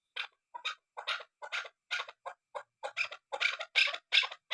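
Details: Loud repeated chuk calls from a female chukar partridge, about three harsh notes per second, spaced at first and then bunching into louder, faster groups near the end.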